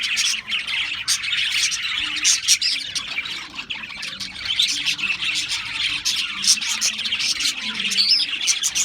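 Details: Australian parrots chattering as a group, scratchy squawks mixed with quick high chirps and warbling, the noisy chorus rising and falling in loudness.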